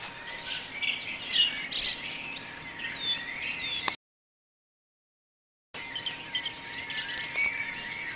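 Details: Birds singing at dawn, 4:48 in the morning; several overlapping high chirps, trills and whistled notes, busy and continuous, broken by a silent gap of about two seconds, with a steady faint hum beneath.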